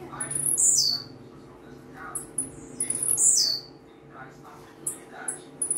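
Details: Blue-black grassquit singing a lot. Two high, buzzy, downward-sweeping phrases about three seconds apart, with a few faint short chirps between them, over a soft low hum.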